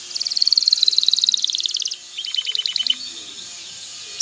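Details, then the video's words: Male canary singing to prepare a female for mating and stimulate nest building: a rapid high trill of repeated notes gently falling in pitch for two seconds, then a lower, slower trill of sharp notes. "اقوى تغريد ذكر الكناري لتجهيز انثى الكناري للتزاوج و تحفّزها على بناء العش"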